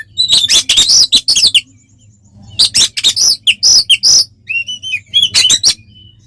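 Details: Oriental magpie-robin singing its aggressive 'tarung konslet' song to provoke rivals: three loud clusters of harsh, buzzy chatter mixed with bright whistles, separated by short silences, with a faint low hum underneath.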